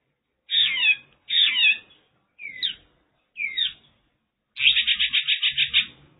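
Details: Mongolian lark from China giving two rich descending slurred phrases, two shorter upslurred notes, then a rapid rattling trill of about ten even pulses; slight low background noise.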